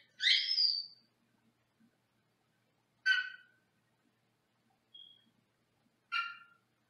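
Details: Senegal parrot, a male in a small indoor cage in a separate room, gives short harsh squawks roughly every three seconds, with one thin high whistle between them.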